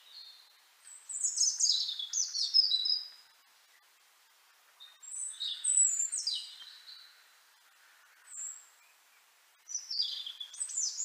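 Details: European robin, Liepāja, Latvia, January 2023: three separate song phrases of high, descending liquid whistles and trills, each lasting about two seconds, separated by quiet intervals.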